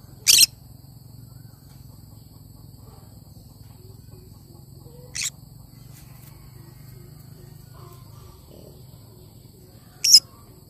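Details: Three brief, harsh squawks from a cinnamon green-cheeked conure, spread several seconds apart over a steady low hum, the middle one softer.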